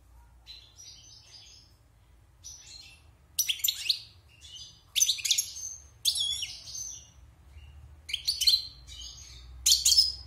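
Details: European goldfinch from the wild, caged six months, singing after its moult in repeated short phrases of bright twitters and buzzy rasping notes, roughly one burst each second or two.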